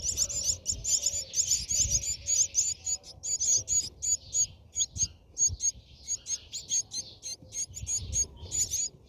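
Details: Brahminy starling nest, heard from within while feeding goes on: loud, sharp, high-pitched chirps repeated rapidly, about one and a half per second, in uneven clusters with little other sound.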